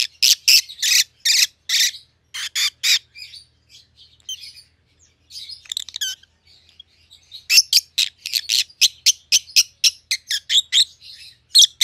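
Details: Two domestic rosy-faced lovebirds, white-headed pallid and green opaline, calling in fast bursts of loud screechy chirps, several per second, broken by a quieter stretch of soft twittering before another long rapid series.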